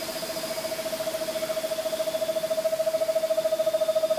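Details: A variable screech owl (Megascops atricapilla) gives a long, even trill of low, hollow notes, about ten a second, swelling slightly louder as it goes.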